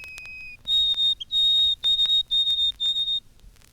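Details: White-throated Sparrow song, recorded by Cornell University ornithologists and released in 1954, rendered as 'Poor Sam, Peabody, Peabody, Peabody': a steady lower whistled note, then a higher pure whistle followed by a run of short, evenly repeated high notes in a quiet setting.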